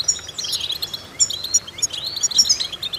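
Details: Goldfinch vocal exercise with a descending buzzy slur, then crisp high chips and twittering notes repeated in quick succession.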